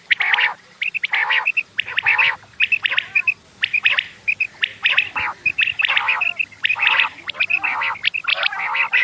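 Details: Morning quail calls: a busy run of rough, raspy bursts alternating with short, clear, chirping notes in quick succession, with no other clear sounds.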